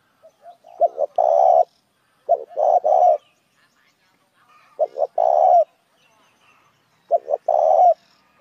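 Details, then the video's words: Lure call of a spotted dove drawing other doves: repeated phrases of two or three short clipped notes followed by a long rough coo, four phrases about every two to two and a half seconds, faint low coos between. "tiếng chim cu gáy kích mồi"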